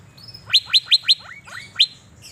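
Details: Asian fairy-bluebird singing actively while sunbathing in Banjarmasin: four loud, sharp, downward-swept notes in quick succession, then softer lower slurred notes and one more sharp note, over a faint thin high whistle and low background hum.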